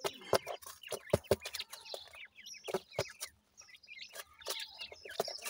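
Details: Feeding grey francolin chicks, called dakhni teetar, give irregular soft clucking notes and scattered thin high chirps, with brief pauses and a faint low hum.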